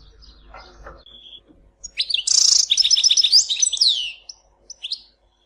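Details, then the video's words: Goldfinch in Tizi Ouzou, Algeria, giving a few soft notes before a loud buzzy rasp and a fast run of bright twittered notes, closing with a long downward whistle and scattered chirps. "Chant chardonneret tizi ouzou تغريد حسون تيزي وزو"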